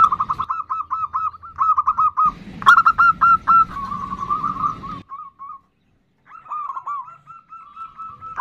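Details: A female zebra dove calls the male with a nutut call. Rapid, rhythmic, short coos come about three per second, with a silent gap near the end before the series resumes more softly.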